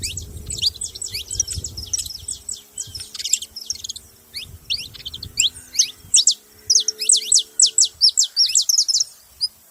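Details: Saffron finch chirping busily with rapid, high, steeply falling notes in clustered runs, over a faint low hum.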